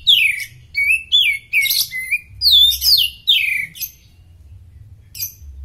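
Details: Oriental magpie-robin (kacer) in superfit condition, singing as a master song for other birds: loud, varied whistled phrases, many sliding downward, delivered in quick bursts with short pauses and low background hum.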